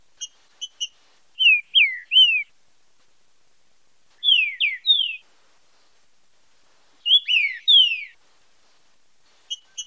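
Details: Green-winged saltator singing in the marcheado style for song training and stimulation: groups of three loud, slurred descending whistles, repeated about every three seconds, with short clipped metallic chips at start and end; no other sounds.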